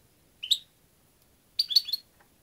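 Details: European goldfinch gives one clear upslurred chirp, then a fast tumbling run of three to four liquid twittering notes a second later, in a quiet setting.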